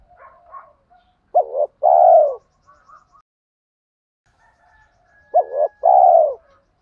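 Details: Spotted dove cooing to stimulate birds during training. Two deep two-part phrases about four seconds apart, a broken double note then a long falling coo. Faint higher chirps and a thin whistle sound in the background.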